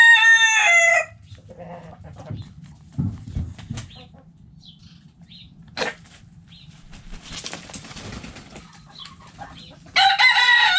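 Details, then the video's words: Backyard chickens in a coop: a loud harmonic rooster crow fragment opens, then a long quiet stretch with faint scattered clucks and scratching, and a second loud rising crow starts near the end. "Hens Clucking Roosters Crowing"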